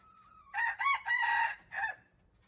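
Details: Junglefowl crowing, recorded March 19, 2025: one short crow in four bursts, three close together and a clipped final note after a brief gap, preceded by a faint steady whistle; quiet background.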